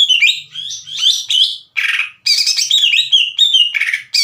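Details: Lively greater green leafbird song meant to rouse rival leafbirds. It mixes quick warbled slides with harsh, buzzy bursts in short clusters, over a faint low hum.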